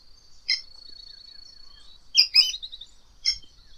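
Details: Variable oriole (Icterus pyrrhopterus) giving three short bright notes, at about half a second, two and a quarter seconds and three and a third seconds, over a steady thin high continuous tone, perhaps an insect, running throughout.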